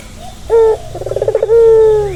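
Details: One turtle dove coo said to ease a stressed bird: a short note, a trembling trill of about eight pulses and a long low sustained coo that falls at the end.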